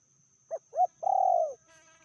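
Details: Female spotted dove, described as fiercer than the male, recorded in an Indonesian trapping and luring hobby setting; a short hoot, a rising-falling note, then one drawn-out quavering coo that sinks at its end, with a faint buzzy tone following.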